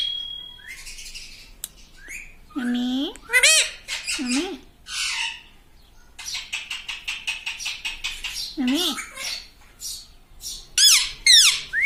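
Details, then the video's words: Pet parrot that talks gives a steady whistled note, then wavering speech-like syllables and a fast train of clicking chatter repeated about twice a second, ending in bright squeaks. "Talking parrot - Mitthu mitthu - Mummy Bolne Wala Tota"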